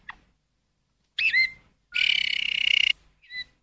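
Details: Malinois canary song: a short click, a curling whistled note, a full second of rich rapid rolling trill, and a closing clear whistle.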